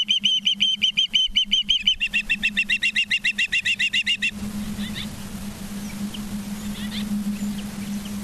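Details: Evening calls from an Osprey at its nest in Charlo, Montana, 19 September 2023: a rapid run of bright whistled chirps for four seconds, then only faint distant chirps over a low hum.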